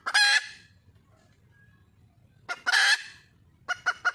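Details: Junglefowl hen in the wild calling for a male: a harsh raspy squawk, a pause, then clucks and a second rough squawk trailing into more clipped clucks.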